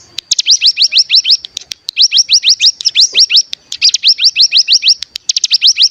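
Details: Cigun, or bar-winged prinia, on a decoy track used to make other birds sing: fast rattling runs of bright upward-sweeping notes, about seven per burst, repeated in quick succession.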